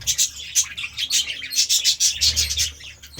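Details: Budgies feeding on seeds and vegetables give bright, sharp chirps repeated several times a second in an even, pulsing run, with a faint low hum.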